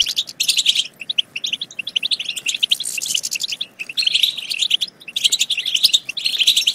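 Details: European goldfinch song used to stimulate goldfinches to sing and mate: dense, liquid twittering in fast bursts of chirps and trills, broken by brief pauses near one, three and five seconds.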